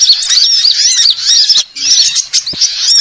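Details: Mixed sunbird calls meant for luring birds: rapid, thin, high-pitched twitters and warbling slurs in two dense bursts separated by a brief pause.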